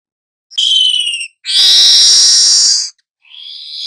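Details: Young weaver singing actively in continuous 'ngerol' style, used as a lure to stir all kinds of birds: a short harsh buzzy burst, a longer loud wheezing rasp, then a rising buzzy phrase starting.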